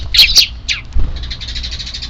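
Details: Sparrow chicks calling on 3 April 2024, before an evening feeding; two loud harsh chirps, then a falling note and a long run of soft rapid chirping, with low background rumble.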